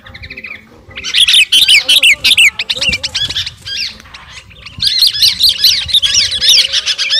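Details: Sooty-headed bulbul, garuda type, calling out to a rival: a soft whistled phrase, then loud dense chattering runs of quick slurred notes, a short pause, and another long chattering burst.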